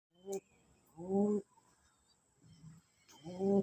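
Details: Pigeon cooing, described as showing love. Low, soft, harmonic coos come in three short bursts with quiet gaps between them, the last coo the loudest, against a faint steady high whine.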